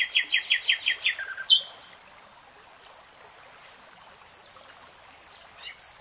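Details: Common nightingale: six loud evenly spaced pulsed notes in quick succession, a sharp falling note, then quiet sustained high whistles over a soft rushing background.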